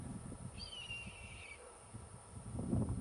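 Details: A soaring Red-tailed Hawk in Louisiana gives one hoarse, high screech lasting about a second, slurring downward, over low rumbling background noise throughout.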